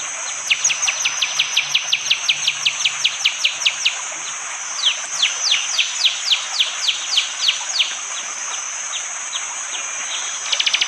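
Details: Morning recording from forest at Wonocoyo Village, Panggul, East Java, Indonesia, captured by Android phone: a bar-winged prinia fires long, accelerating volleys of sharp descending chips, its hard 'tembakan' song, with constant insect buzz behind.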